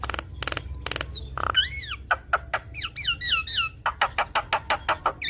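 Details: Javan myna in steady song: harsh broadband bursts, arching whistled slurs repeated several times, then a regular series of short clipped notes.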